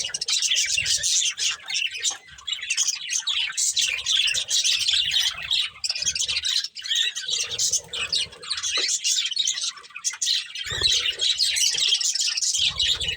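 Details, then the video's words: Budgies, a breeding pair, eating and calling nonstop: harsh squawky warbling mixed with rapid chirps, almost unbroken for about thirteen seconds, occasional low bumps underneath. "Beautiful Budgies Chirping Sounds"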